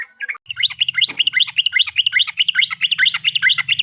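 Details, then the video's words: Lure recording of a yellow-vented bulbul: fast, chattering run of bright, slurred notes, almost continuous, over a steady low mechanical hum. "Pancingan burung trucukan paling jitu"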